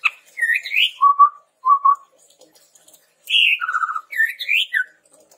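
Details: Red-rumped tepus song meant to lure and train birds: rising slurred whistles, paired short lower wavering notes, then a high note dropping to a trilled whistle and a final falling note.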